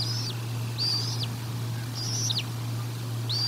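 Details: Nest-cam audio of a bald eagle at Decorah North during a feeding, dated 04 01 2022: four thin, high, flat-topped whistles that drop off at the end, spaced roughly a second apart, with constant low hum behind.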